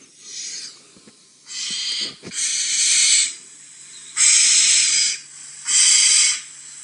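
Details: Recorded African barn owl screeches played back quietly during an afternoon game drive after a rare sighting in Djuma Game Reserve, South Africa, on 4 November 2017: five long, harsh, hissing shrieks of about a second each, over faint vehicle rumble.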